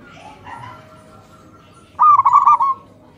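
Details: Local zebra doves, male and female, answering each other in the morning. Faint soft cooing notes come first, then a loud, rapid burst of rolling, warbled coos lasting under a second.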